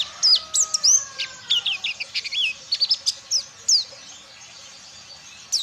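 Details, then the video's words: Mountain white-eye from Ciremai being trained on wild bird songs, delivering a rapid run of high, thin whistled notes and sweeping slurs, many phrases dipping and rising, in bursts over several seconds; a faint low hum underneath. "BURUNG PLECI DAKUN CIREMAI BELAJAR NGALAS"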